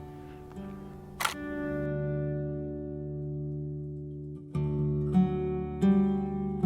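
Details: Plucked acoustic guitar chords ring out and fade, then are struck again, with no animal sounds.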